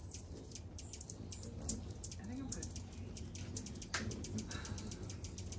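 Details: Hummingbirds, thousands feeding daily at a kitchen window in a yard, give rapid, irregular, very high dry chips and ticks over a steady high-pitched hiss and a low rumbling hum.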